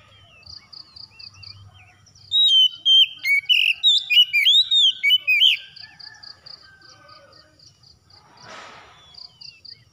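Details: Therapy recording of Oriental magpie-robin song to get a silent bird singing: three seconds of rich, varied whistled phrases amid steady high pulsed notes, with a brief broadband rustle near the end.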